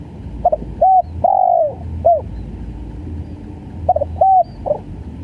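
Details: Tekukur or spotted dove in the stuttering gagap call style, for luring birds: soft mellow coos, a quick cluster of short notes then a longer slurred coo and a closing note, the phrase heard twice against a faint low background rumble.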